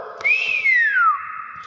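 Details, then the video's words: Nias hill myna with a single ringing whistle, rising briefly, then gliding steadily down over half a second and settling into a flat, held tone. "BEO NIAS SUARA ASLI"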